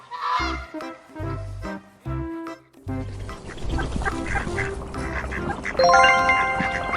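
Canada goose giving a run of loud, nasal honks in quick succession, with background music playing throughout and a brighter, tonal passage near the end.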